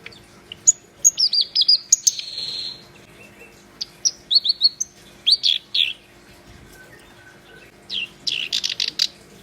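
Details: Black-browed reed warbler in vigorous song: fast runs of high slurred chirps and whistled notes, a short buzzy rasp, then scratchy notes and a dense burst of rapid chatter near the end.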